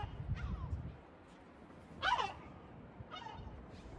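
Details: A sea gull at the seaside in Batumi gives a harsh, falling squawk, with two fainter, shorter calls before and after, over a steady low rumble of wind or surf.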